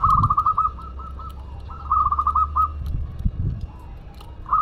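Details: Local Madura zebra dove singing actively, delivering fast stuttering strings of short, gentle coos in bursts, with a low hum beneath.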